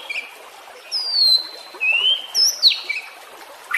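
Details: White-rumped shama song used as training audio for caged birds that have stopped singing: sparse clear whistled notes, long slurred glides near mid-high pitch with gaps between phrases.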